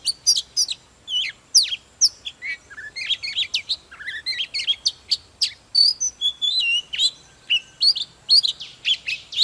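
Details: A mature wild-caught Oriental magpie-robin sings its fired-up morning song with a display dance, pouring out dense sweet whistles, steep slurred notes and scratchy trills almost without a break.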